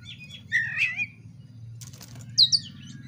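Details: Oriental magpie-robin song used as a lure to provoke fighting: a brief burst of warbled whistled notes, a rustle like wing flapping, then two sharp high chirps over steady low hum.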